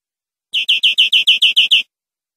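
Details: Greenfinch song phrase from a tutor recording for educating caged birds: nine sharp, evenly spaced high notes in a short rolling burst, clean and free of background noise.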